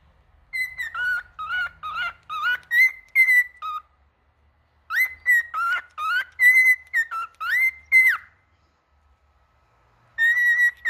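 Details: Male cockatiel delivers loud, clean whistled phrases of alternating high and low notes in quick succession. Long silences separate three bursts of song.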